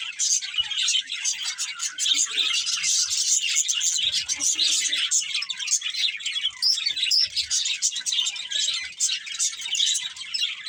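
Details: Budgerigar breeding pair chirping: continuous dense stream of high, scratchy warbles and quick tweets, busy and unbroken throughout with no pauses.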